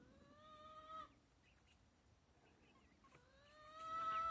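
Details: Dorking chicken chicks foraging and being fed: two loud drawn-out peeps about two seconds apart, each a steady whistled tone, with faint softer chirps between them over a constant high hum.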